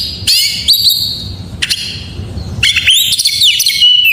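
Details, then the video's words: Varied white-rumped shama song to provoke other shamas into singing: sparse sharp whistled phrases separated by quiet gaps, finishing with a dense run of chirps and trills. "Suara masteran burung Kacer || pancingan KACER full isian"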